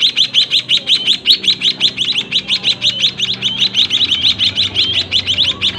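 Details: White-headed munia young begging while parents feed them inside a cramped cage: continuous fast series of sharp, high, scratchy chirps, about three each second, unbroken throughout, with a soft low background drone.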